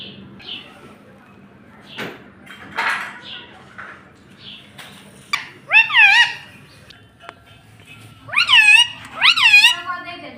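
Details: Pet parrot with a few faint clicks and squeaks early on, then clear speech-like syllables. It ends with three bouncy, harmonic calls in quick succession.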